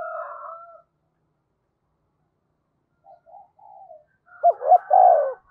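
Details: Spotted dove kept as a decoy and described as quick to coo, heard as a faint trailing coo, a long pause with soft murmurs, then a clear phrase of two short notes and a drawn-out coo.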